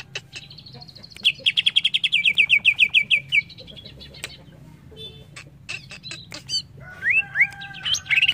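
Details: Greater green leafbird (cucak ijo) delivering a fast, regular series of about fifteen short whistled notes, then scattered clicks and a few rising, warbled phrases near the end.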